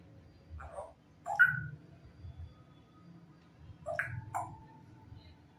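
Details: A grey parrot talking in Hindi gives four short, voice-like bursts of imitated speech, rising and falling in pitch, over a low steady hum.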